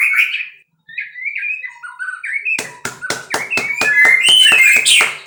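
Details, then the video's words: White-rumped shama from captive breeding singing soft fluty whistled phrases, then a quick run of sharp clicks overlaid with louder whistles. "muray batu suara mantap"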